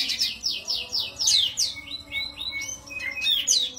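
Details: A masteran recording of an Oriental white-eye for training songbirds, with a rhythmic series of quick high descending chirps followed by smoother rising whistles.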